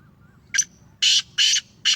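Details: Harsh, scratchy call of a Sindhi Gangas lineage Black Francolin: a brief sharp note, then two loud rasping bursts and the start of another, clean and close.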